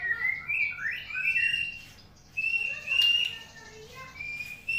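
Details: White-rumped shama singing in the morning: clear, sliding whistled phrases, some rising, separated by short pauses, over a low steady background hum.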